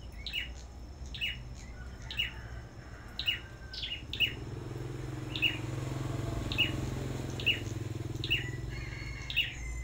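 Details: Black-throated Bushtits at a bird farm, competitive singing: high, clipped chirps repeated about once a second over a steady low rumble of passing traffic.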